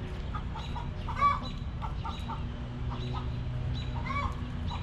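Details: Backyard hens relaxing in their coop give soft, low clucks in short bursts, with one louder, sharper cluck near the middle. A steady low hum runs underneath, and faint higher chirps come and go.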